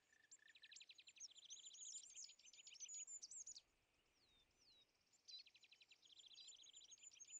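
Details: European greenfinch at winter feeders, where it is described as among the most aggressive birds, driving off tits, sparrows and nuthatches; rapid buzzy trills of ticking notes come in bursts, with thin high whistles and twitters above and brief quiet gaps.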